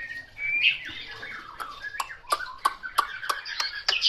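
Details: Chinese hwamei singing at moderate volume: a rising whistled slur, then varied warbling phrases broken by sharp clicking notes about every third of a second.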